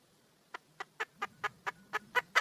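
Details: Wild red junglefowl female calling to a mate, starting with soft, spaced clucks that grow louder and slightly faster, with a faint low hum beneath.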